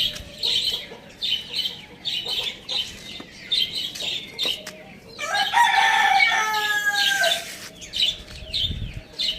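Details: Morning rooster crow on a village farm: a single strong, harmonic crow lasting about two seconds, level then falling. Smaller birds chirp in quick repeated bursts before and after it.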